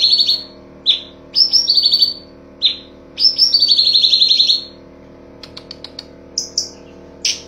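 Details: Cucak cungkok master song in 'full tembakan' style for training songbirds: sharp high chirps and short descending rattles, followed by faint ticking notes and a few isolated shrill calls.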